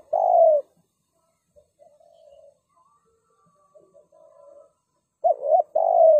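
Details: A spotted dove kept as a trapping decoy gives a loud coo, then faint distant coos, then a closing pair of short coos and a long steady coo.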